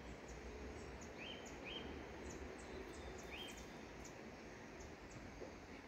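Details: Spix's spinetail pair calling with brief, sharp, high notes in quick pairs, a few in the first half, over constant hissing background noise.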